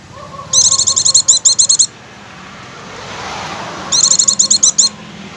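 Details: Oriental white-eye, a recording used as a lure to get white-eyes singing continuously: two bursts of very high, rapid twittering notes, each about a second long, over faint lower whistled tones and a soft hiss.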